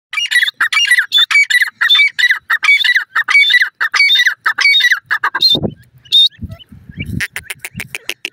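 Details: Grey francolin chick kept at home: loud, harsh, squeaky chirps repeated about every half second for five seconds, then dull handling thumps and scattered clicks with a few further chirps.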